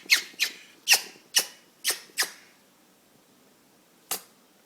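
An Eclectus parrot in a sneezing fit: six sharp, breathy puffs in quick succession over about two seconds, then a pause and one last sneeze, in a quiet room.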